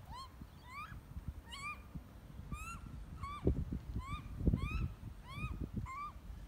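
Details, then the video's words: A noisy baby Australian magpie being fed by a parent gives nasal, upslurred squawks, about one or two a second, over low rumbling wind noise. "Australian Magpie feeds its noisy baby Magpie"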